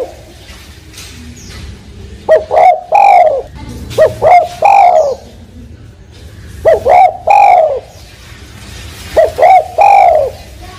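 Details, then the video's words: Spotted dove giving soft, mellow cooing phrases, two or three quick notes then a longer, falling coo, repeated about every two to three seconds over faint background hum. "Suara Burung Tekukur"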